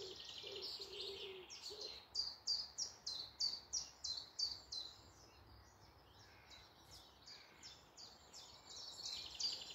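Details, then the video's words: Morning birdsong in woodland near Malton, North Yorkshire: a long run of sharp, high repeated notes, each rising and falling, about three per second, after a brief low cooing phrase at the start. "Morning Woodland birds singing"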